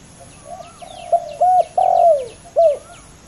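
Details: Two male spotted doves in a fierce calling contest: short low coo notes leading into a longer hoarse coo that slides downward, the phrase heard about three times, with faint thin chirps of other birds above.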